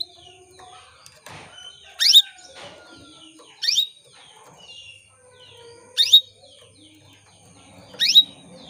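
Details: Female canary calling males to make them sing sooner: four rising, rasping sweeps, roughly one every two seconds, with quieter chirps and faint twitters in between.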